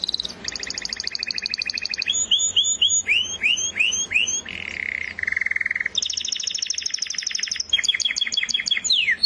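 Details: Canary delivering a long varied song: fast chattering trills, a row of upward-curving whistled swoops, low buzzy rolls, then bright rapid trills and falling slurs.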